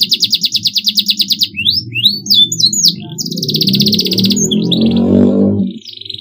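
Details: Canary in clean masteran song with a rapid pulsed trill and sharp twisting whistles, soon partly covered by a loud low rumbling noise while a buzzy trill continues above it.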